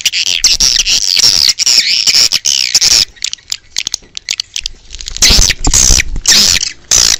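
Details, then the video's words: Swiftlets heard outdoors in a sound meant to call them in: a long run of shrill, wavering chirps at first, a quieter spell of scattered clicks, then loud buzzy bursts again, with some low rumble. "Âm thanh chim yến ngoài trời - Âm thanh gọi chim yến"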